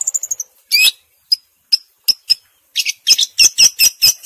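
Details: Long-tailed shrike (Lanius schach) in lively song from Bojonegoro: a quick run of thin, high chirps, then sharp isolated notes building into a burst of scratchy, buzzy phrases.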